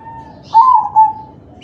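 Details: Crossbred zebra dove cooing, meant to stir other doves to join in: one low, mellow phrase, a rolled opening and a soft second note that trails into a long, level coo.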